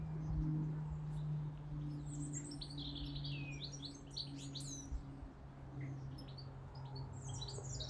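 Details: In spring, a male European goldfinch sings from the very top of a willow tree: a quick, tinkling, high twitter of short chirps and trills, joined by a blue tit, a jackdaw and a steady hum of road traffic.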